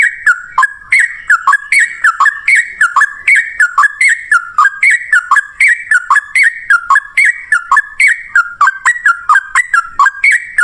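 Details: Yellow-vented bulbul in lively ropel ngalas song style, used as a lure to make other birds answer: rapid bubbly chattering notes, each dropping and rising, repeated about three or four per second in a continuous run, clean with no other sounds.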